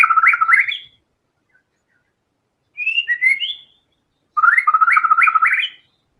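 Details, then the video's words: Lively white-rumped shama song showing off its mimicked fill material. Quick runs of bright, jumping whistled notes end in a high upturned flourish. A shorter, buzzier phrase falls between two bursts, and quiet gaps separate each one. "MURAI BATU GACOR‼️FULL BONGKAR SEMUA MATERI ISIAN"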